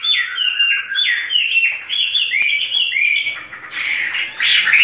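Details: Chinese hwamei, two birds singing together in a duet, kept as songbirds: loud, continuous run of rich whistled phrases with slurred notes rising and falling, some harsher squawky notes near the end, indoors.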